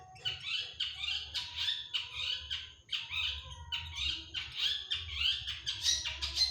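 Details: Harsh, scratchy chattering from a long-tailed shrike (cendet) in full imitative song with 'tembakan' bursts. Grating notes tumble out almost continuously, nearly two per second, in uneven rhythm.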